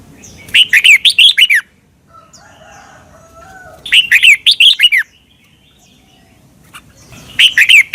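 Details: Caged Red-whiskered bulbul from Thailand, a training recording played for young birds to copy; short bursts of bright, warbling whistled notes, each phrase about one second, repeated roughly every three seconds with quiet gaps between.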